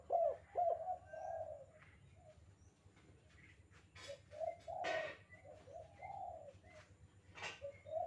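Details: Spotted dove calling for training birds: short low coos in clusters and a longer drawn coo, separated by pauses, with sharp clicks, rustling noise and faint high bird chirps in the background.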